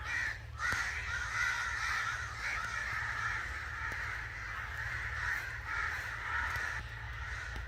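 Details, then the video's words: Angry crows cawing in a dense, overlapping chorus of harsh, raspy calls that runs without pause, with a low rumble underneath. "Crow Sounds | Angry Crow Sounds | Crow call"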